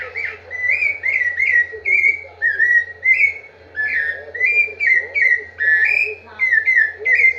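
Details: Sustained song of a rufous-bellied thrush: repeated fluty whistled phrases, mostly level or gently rising, following one another at a quick even pace over a faint continuous low hum.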